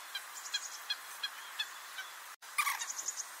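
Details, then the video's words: Common moorhen (Gallinula chloropus) making its short 'kuurruk' call, captured with a Nikon D500. Light irregular ticks lead to a sudden break, then a short rasping burst and a rapid run of faint clicks. "Het Waterhoen roept met een korte 'kuurruk'"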